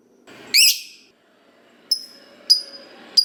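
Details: Gacor lovebird calling as a lure for other lovebirds: one loud harsh rising squawk, then three short thin high whistled chips about half a second apart over faint background hiss.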